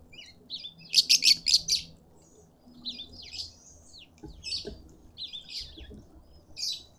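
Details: Green wood hoopoe close up in a suburban Pretoria garden, South Africa, giving a fast burst of five harsh rattling pulses, then scattered scratchy, buzzy notes over faint low rumble.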